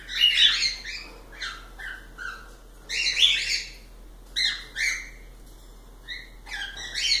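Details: Pet cockatiels give repeated bright, harmonic chirps in loose clusters, some sliding downward, with busy overlapping calls at the start and around three seconds.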